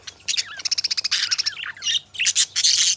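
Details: A pair of companion budgies give a fast series of sharp clicking ticks, then break into scratchy warbles with slurred squeaks and buzzy bursts.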